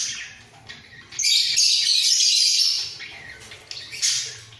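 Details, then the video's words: Budgerigar pair in a breeding cage bobbing their heads: soft scratchy twittering swells into a sustained loud, rasping warble, then drops back to lighter chirps and one final burst. "Sepasang Burung Parkit Gacor"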